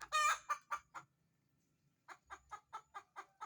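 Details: Laying hen looking for a nest site: a loud, harsh, drawn-out squawk and a few trailing notes, a brief silence, then a regular string of short clucks about five per second.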